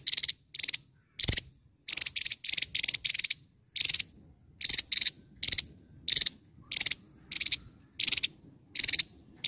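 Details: Javan tesia singing actively: short, high, buzzy bursts of rapid pulses, sometimes paired, repeated irregularly about one to two times a second, with a single low thump near the start.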